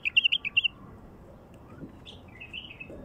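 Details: Wild bulbul song opening with six rapid, bubbly whistled notes, then a fainter slurred phrase, in quiet surroundings.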